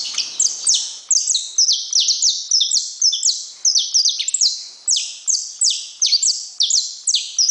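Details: Continuous saffron finch song, loud and clear: quick chains of piercing downward-sweeping chirps, tightly packed and repeated without a break.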